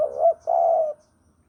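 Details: Javan spotted dove recorded to lure birds for trapping, giving a brief curved coo and then a longer, steady, slightly buzzy coo that fades away, with nothing else clearly heard.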